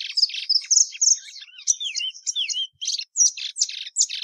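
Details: Continuous song of a plumbeous seedeater (Sporophila plumbea), mixing quick high twitters with clear downward-sliding whistles and ending in separate bright trilled notes.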